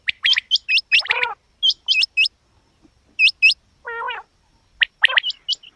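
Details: Female quail uttering bright hooked chirps in small clusters, with one buzzy, harmonic croak between the groups and short quiet gaps.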